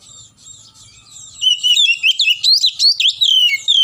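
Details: Kept Oriental magpie-robin drying in the morning sun after bathing, giving a fast string of loud, sharp whistled notes repeated several times per second, beginning after a quiet opening second and a half.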